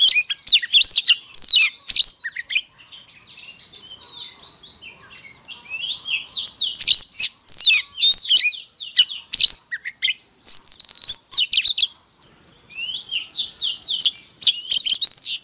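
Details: An Oriental magpie-robin sings a morning fighting song, a rich, fast run of whistles, trills and harsh chatters in bursts.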